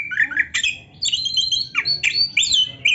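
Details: Oriental magpie-robin in varied song, played to get other magpie-robins singing. Clear whistles bend up and down, mixed with short harsh squeaks and downward-sliding notes in a quick, irregular sequence.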